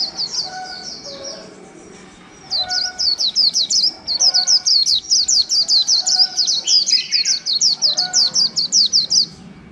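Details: Caged white-eye, newly wild-caught and kept over a month, singing a líu-style song: a long run of sharp, high chirped notes, about two to three per second, after a brief opening burst and a pause.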